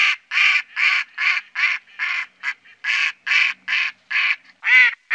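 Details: Mallard giving a loud series of about twelve harsh, nasal quacks, each short and buzzy, spaced roughly every half second, with a slightly higher, more drawn-out quack near the end; otherwise quiet.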